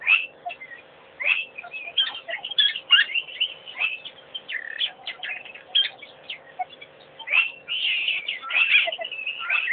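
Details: African pied wagtail at a waterhole, picked up by a wildlife camera at Pete's pond; lively, continuous twittering of short chirps and trilled notes, with brief pauses near one and seven seconds, over a faint steady low hum.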